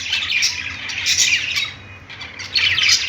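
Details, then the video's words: Pet-store budgerigars on a perch chirp in two lively bursts of high, squeaky warbling separated by a quieter moment. "budgies singing on perch | parakeet chirping sounds in pet store"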